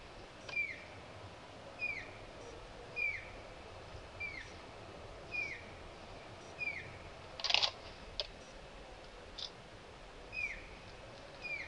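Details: A Grey-headed canary-flycatcher in Jayanti National Park, Alipurduar, West Bengal, India, in January, gives short, sharp, high downslurred notes about once a second; a brief clattering burst breaks in midway.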